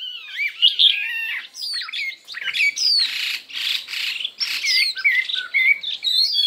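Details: Chinese hwamei in a dueling song with many voices: quick whistled slurs mixed with harsh, buzzy, broadband notes in the middle, then more clear rising and falling whistles.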